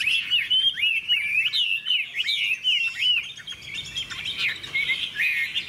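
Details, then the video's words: Dueling Hwamei, bright golden with a big tail and active wings, delivers a chain of clear arched whistles, each swooping up then down, repeated in quick succession with short rising trills. "Họa mi hót đấu"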